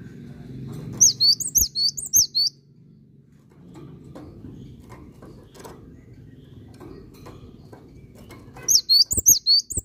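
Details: Cinereous tit (gelatik batu) singing actively: a quick phrase of about six high, sharp whistled notes, then a long pause filled with low rumbling background noise, then another rapid phrase of similar whistled notes.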